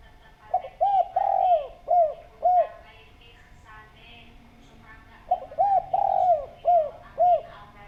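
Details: Spotted dove, used as a lure to make other doves call, giving two phrases of low hollow cooing: a short coo, a drawn-out rolling coo, then two clipped coos, with a pause between phrases and faint background chirps.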